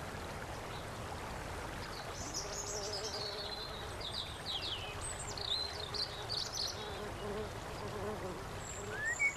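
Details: A female indigo-banded kingfisher at a clear freshwater stream in Tiaong, Quezon, Philippines, on 20 March 2009, gives thin, high squeaky notes and short sharp whistles, partly masked by the steady rush of the stream.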